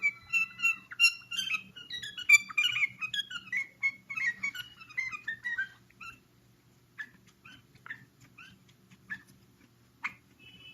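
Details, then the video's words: Common bulbul in full song, a fast tumble of clear whistled and warbling notes for about six seconds, then sparser single chirps and short slurred whistles spaced apart, over a faint low hum. "صوت البلبل العجيب وهو يغرد"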